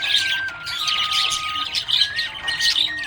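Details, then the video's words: A happy budgerigar's brief burst of dense, buzzy chirping and chatter over sustained background music notes. "Happy budgie chirping sound"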